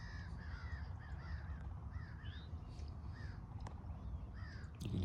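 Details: Distant sandhill cranes near a marshy area in sand pine scrub at Lyonia Preserve, Deltona, Florida, on November 23, 2024: several birds overlap short, arched, mid-pitched calls every half second or so over a low rumble of wind.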